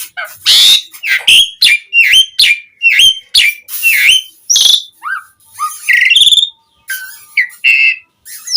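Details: Lively Asian pied starling song with varied filler phrases, meant to get other starlings replying. A hoarse burst opens a run of sharp, repeated V-shaped whistled chirps, followed by rising whistles and rasps.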